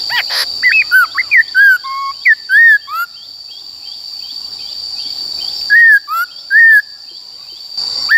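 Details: ['White-cheeked laughingthrush singing in the wild forest style, used for training wild-caught and young birds: short clear whistled notes, some rising and some slurred down, in two bursts separated by a pause, over a steady high whine.']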